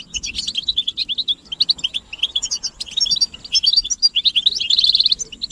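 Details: Chorus of European goldfinch chirps, stimulating calls for male singing. Quick, pulsed high twitters come in clusters, ending in a fast buzzy trill, over a quiet background.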